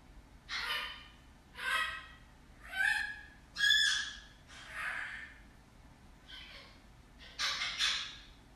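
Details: Young African grey parrot, about ten months old, imitating a screaming human: seven harsh, breathy scream bursts roughly one per second, some carrying strained tonal streaks, the last one doubled, over a low steady indoor hum.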